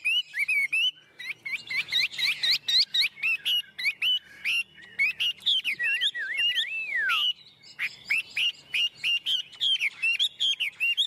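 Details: Caged tame Chinese hwamei in full song: rapid strings of bright whistled notes, repeated phrases, a long descending slur near the middle, then more quick bursts of whistles.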